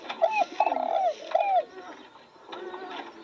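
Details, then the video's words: Spotted dove near fresh roses delivers one crisp phrase: a short double hoot, a long steady low coo and a closing hoot, then fainter background cooing. "Nghe tiếng chim cu gáy hót cực hay"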